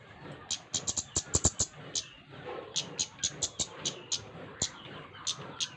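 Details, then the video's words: Flowerpecker giving a quick cluster of loud, sharp clicks, then evenly spaced high ticks roughly twice a second, over a low murmur of background noise. "Burung cabe cabean gacor"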